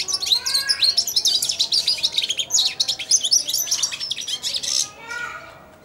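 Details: Young caged European goldfinch, four months old, warbling its babbling subsong while eating from the hand: loud, dense, tumbling twitter of rapid high chirps and buzzy notes, fading out at the end.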